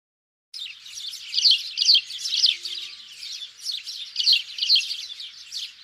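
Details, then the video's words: House sparrows, a recording used as a hunting lure: after a brief silence, dense overlapping high chirps pour out continuously, several birds chattering at once with louder bursts every half second or so; no other sounds. "Sparrow Sound For Hunting- صوت الدوري المصري للصيد"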